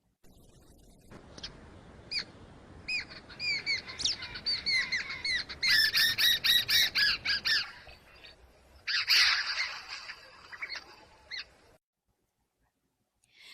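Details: Jungle babblers give harsh, squawking alarm notes in rapid repeated bursts, warning others of a lurking predator, several birds joining into a loud grating chatter; no other sounds intrude.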